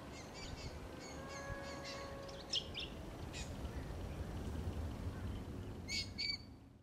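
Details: A Black-faced cuckoo-shrike (Coracina novaehollandiae) in Australia gives short, sharp chirping notes in scattered bursts, with a faint steady whistle early on and low rumbling wind or traffic underneath.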